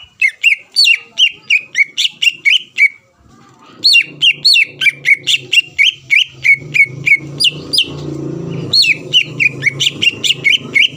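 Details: Greater green leafbird song used to provoke rivals to answer: fast runs of bright whistled slurred notes, roughly three per second, pausing once, with a low background hum underneath in the second half.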